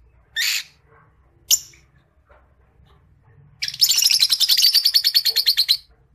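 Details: Singing Creamino Rosy-faced Lovebird: two isolated harsh chirps, then a two-second rapid chattering trill of fast pulsed notes.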